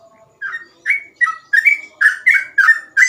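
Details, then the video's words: Rapid 'ropel' song of a sooty-headed bulbul used to teach or lure others: eight clear, bubbly whistled notes, each slurring up or down, evenly spaced about three per second. "burung trucukan gacor ropel"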